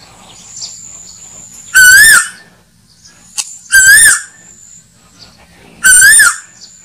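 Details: Hunting-lure playback of an Asian koel: three loud, buzzy, rising notes about two seconds apart, clipped and distorted, with a soft hum in the background.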